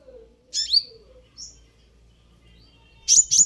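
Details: Sunbird call meant to provoke: a twisting, downward-sliding chirp, a short thin note, quiet stretch, then two loud sharp high chirps at the end, over a low faint hum.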